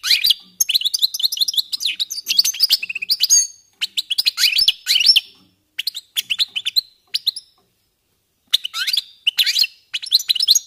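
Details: Goldfinches warming up, giving bursts of bright twittering song with quick slurred chirps and short liquid trills, broken by brief silences between phrases.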